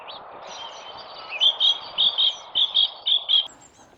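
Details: Male song thrush singing at dawn from a tree beside a hedge, recorded from a hide with a rifle microphone: a bright, clear whistled note repeated about eight times in quick doubled pairs, over a soft, low background murmur.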